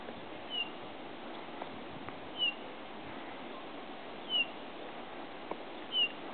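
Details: A male Eurasian bullfinch at Broadlands nature reserve, Hereford, gives four soft, short, falling piping whistles, one about every two seconds, over a steady background hiss.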